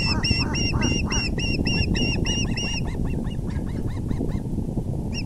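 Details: Male osprey delivering a big fish to the nest, evening of April 6, 2020: fast, piercing chirps repeated several times a second, then a run of lower, rising-falling notes, with a constant low rumble beneath.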